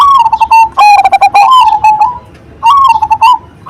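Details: Zebra dove of the Cemani Majapahit type, singing actively with a big voice: loud, low, hollow cooing notes in rapid stuttering bursts, each phrase ending in a drawn-out level coo, repeated twice.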